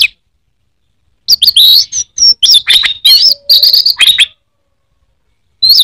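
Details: Teler song of an orange-headed thrush, a widely kept Indonesian songbird: a rich jumble of high swooping whistles and warbled notes after a silent start, then another phrase beginning at the end.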